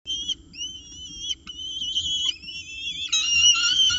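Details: Peregrine falcon chicks at breakfast in a nest box at Orange, 29 October 2018, 9:36 am, as prey arrives. Long whistled calls bend up and down, then shift abruptly into a loud, rasping squeal.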